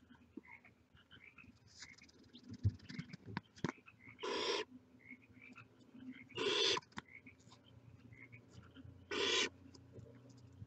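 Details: Nestling barn owls with heads outside the nest hiss harshly, three broadband bursts about two and a half seconds apart, preceded by faint chirps and a low thump.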